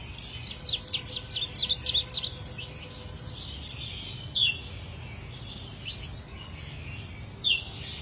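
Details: Dusky warbler singing: a quick burst of thin, high chirps early on, then single sharp notes spaced out over several seconds, with soft steady background hiss.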